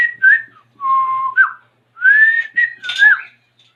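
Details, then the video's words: Pet African grey parrot performing tricks indoors, whistling a series of clear tonal notes: a short high pip, a long level whistle, then rising and falling slurred whistles in quick succession, with a faint background hum. "talking parrot | African grey parrot | Parrot tricks"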